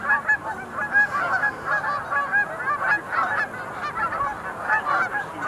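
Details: Sandhill cranes in a flock at the Montezuma National Wildlife Refuge Visitor Center pool on 20 November 2021: dense overlapping rolling, bugling calls form a continuous chorus with many birds calling at once.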